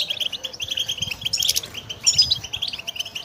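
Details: Pet European goldfinch: a short, dense burst of high, tinkling twitters with a louder buzzy flourish in the middle and a clear whistled note near the end.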